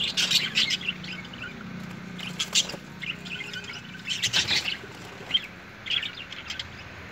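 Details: Parrots fighting: harsh, broadband squawks in short bursts near the start, middle and four seconds in, with thinner high chirps between them over a steady low hum.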